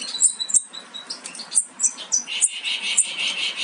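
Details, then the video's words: Nearly fledged European goldfinch young in the nest give sharp, high chirps at irregular intervals, with a softer buzzy murmur running underneath toward the end. "Jilgueros casi listos para saltar del nido"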